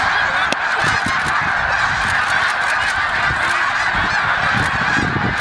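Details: Snow geese on migration at Middle Creek, Pennsylvania, a huge flock calling at once: a constant roaring wall of honking and cackling with no pauses, plus faint low thumps.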